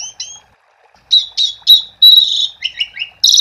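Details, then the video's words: Singing Asian pied starling, played to coax quiet starlings into song: a few thin whistles, then a pause, followed by loud buzzy notes, a long rasping stretch and quick clipped whistles closing on a harsh burst. "Suara Jalak Suren Gacor untuk Pancingan"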